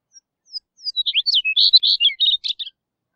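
A Chestnut-collared Longspur sings a short, sweet, tumbling phrase of warbled notes that rises in pace and ends with a slight downward flourish, lasting about two seconds.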